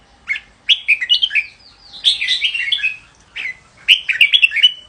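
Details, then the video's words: Red-whiskered bulbul song in four short bursts, each a rapid run of lively, liquid whistled notes sweeping up and down, with brief silences between phrases. "chào mào hót hay"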